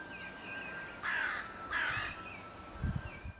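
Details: A rook at a forest edge, in early March when rooks begin nest building, gives two harsh, drawn-out caws about half a second apart, over faint whistling birdsong and low rumbling.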